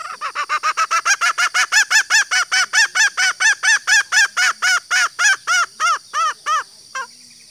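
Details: Female green junglefowl call, used to lure males into calling: a fast run of loud arched harmonic notes, about four per second, slowing and fading toward the end, over a steady high hiss.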